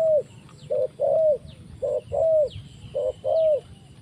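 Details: Close, loud spotted dove used to lure birds for trapping, calling on the ground: clear low coo phrases of a short note then a longer falling croo, repeated every second or so, a sliding high whistle behind.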